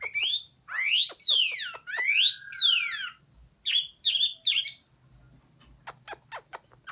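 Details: Chinese hwamei in song on 15 June 2021, with loud sweeping whistles that swoop up and down, followed by short, bright, repeated notes and then a few sharp clicks. A faint high steady tone sits underneath.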